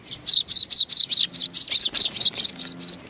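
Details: Sparrows arriving for food at Tenmangu shrine in Nakanoshima, Japan, on 21 June 2020; a rapid run of about thirteen loud chirps, roughly four per second, slowly fading toward the end.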